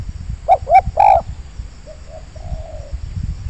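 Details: One phrase from a wild spotted dove in an oil palm plantation, come to a trapping site: two short stuttered notes, a loud vibrant coo, then fainter drawn-out closing notes, with low murmuring noise beneath.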